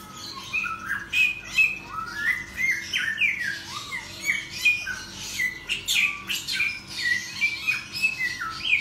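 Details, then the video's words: Caged songbird singing steadily indoors, a busy run of whistled, sliding notes and quick trills repeated over and over without pause, with a constant low hum beneath. "SAMYONG GACOR FUL SIANG MALAM"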